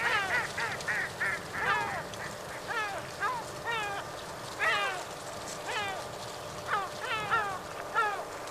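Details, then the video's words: Yellow-legged gulls squabbling over a fish give rapid bursts of short harsh calls, then more spaced descending squawks, over a constant low hum. "Zwei Mittelmeermöven streiten sich um einen Fisch / Two Seagull fighting for a fish"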